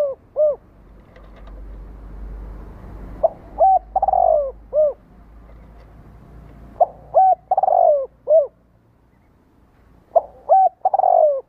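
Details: Spotted dove coos meant to trigger responses from kept doves; a falling note opens, then three phrases of clipped notes, a long coo and a descending tail note, spaced about three seconds apart over steady low hum.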